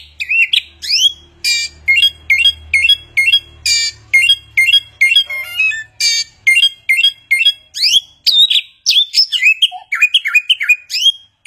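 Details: Chinese hwamei imitating many sounds: a steady string of near-identical sharp, upslurred chirps, roughly two a second, for most of the passage, then a faster jumble of varied whistles and swoops.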